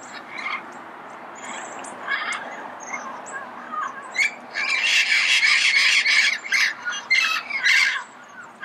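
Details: Red-crowned amazon recorded early morning in Pasadena: harsh, raspy squawks in bursts, louder and more continuous in the second half, with softer chattering early on.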